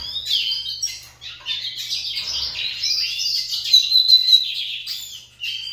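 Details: Lined seedeaters kept as pets in a singing contest: high, rapid warbled trills and chirps run almost unbroken, with a thin whistled note midway and a brief pause before a final phrase; low hum in background.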